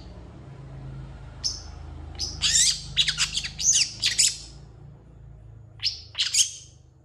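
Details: Energetic long-tailed shrike song full of borrowed phrases, said to draw quick answers from other shrikes: a single high whistle, then a dense cluster of scratchy high chirps, a pause, and two more thin whistled notes.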